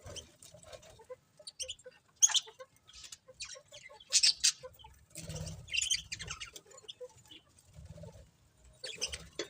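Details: Pet budgerigars chirp sparsely: scattered high, clipped tweets in small clusters with quiet gaps between them, and faint low rustling underneath.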